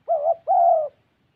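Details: Spotted dove used as a decoy in Gia Lai, Vietnam, utters a short two-note coo, the first wavering and the second longer and steady, low-pitched and hollow.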